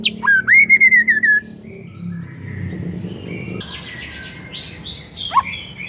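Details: Shama song used to spark singing in other shamas: a rapid burst of bright rising whistles in the first second and a half, then faint distant notes and low background noise.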